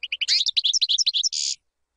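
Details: Brief European goldfinch phrase for teaching chicks: a rush of rapid twittering notes, about fifteen quick chirps, ending in a short buzzy, rasping note.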